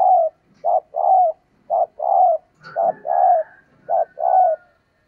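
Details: Female dove calling to stimulate males, with paired coos (a short note followed by a longer, slightly falling one) repeated steadily about once per second. A faint high whistle is also heard.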